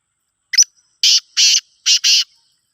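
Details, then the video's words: Loud-calling black francolin, known locally as kala teetar or mastbolar, from Khushab. A brief high squeak is followed by two pairs of harsh, rasping, grating bursts, each pair sharply separated, against a silent background. "kala teeter mastbolar"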